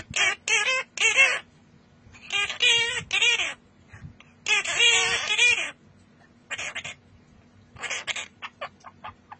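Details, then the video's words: A Quaker (monk) parakeet gives harsh, raspy squawking bursts in quick runs with short pauses, trailing off into thinner, shorter chirps, amid pet parrots singing. "Parrots singing"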